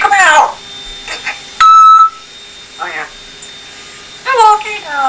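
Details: Pet African grey parrot, male, speaking in a Yorkshire English accent indoors; a few short spoken phrases in a human-like voice, separated by pauses, with a loud electronic beep in the middle.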